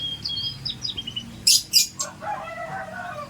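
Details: Scotch Fancy canary giving short whistled and trilled phrases, broken by loud broadband clicks or rustles, then lower warbling notes.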